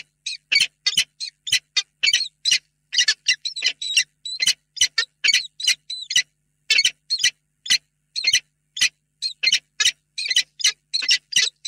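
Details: Nest-box meeting of a peregrine falcon pair at Reda before evening on 28 February 2022; steady series of scratchy, buzzy call notes, closely packed, with brief pauses between groups.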